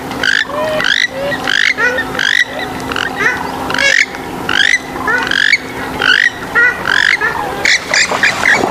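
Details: Swamphen calls, alongside moorhens, used to attract birds: dense bursts of harsh, nasal squawks and honking notes, overlapping and repeated roughly every half second, several birds calling together over a steady low electrical hum.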